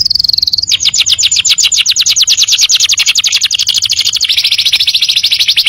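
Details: Training recording of a canary for young birds: a brief steady high whistle, then a long, very rapid pulsing trill that shifts to a slightly lower, denser roll.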